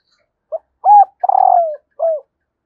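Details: Female spotted dove calling to stimulate males: four mellow coos, a short note, an arched note, a long coo sliding downward, then a final short falling coo, in a quiet background.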